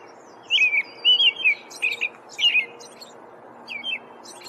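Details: American robin gives several rich, rolling whistled phrases in a short burst, followed by a pause and a softer final phrase, with faint high twittering notes; low hum in the background.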